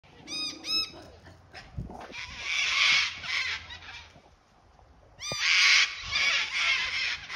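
Sulphur-crested cockatoos give harsh, grating screeches in loud, drawn-out bursts.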